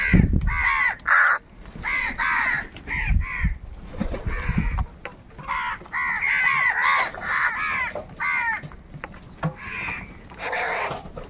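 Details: A long noisy exchange among crows fighting for food, with many overlapping harsh caws in rapid irregular series, some thumps and clattering, calls fading toward the end.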